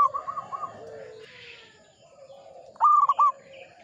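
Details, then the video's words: A local Zebra dove sings a single loud, quick phrase of clipped coo notes in the Ngepat Mataram style, preceded by faint soft coos and low background dove sounds. "Perkutut lokal gacor IRAMA NGEPAT MATARAM"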